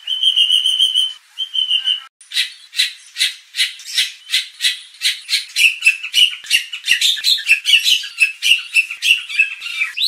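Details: White-rumped shama lure recording for training contest birds' fighting mentality; a steady high whistled tone, then a long run of harsh, rasping chattering notes repeated about twice a second, with sharp whistles mixed in.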